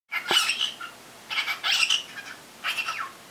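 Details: Six-month-old pet cockatiel chattering indoors, apparently reacting to its own voice: three bursts of harsh, buzzy, squeaky chatter, the first longest, separated by short pauses in a quiet small room.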